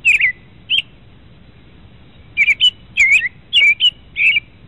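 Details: Common Kentucky backyard bird: American Robin song, clear, liquid caroling phrases that rise and fall, given in quick bursts of two or three with short pauses between; nothing else is heard.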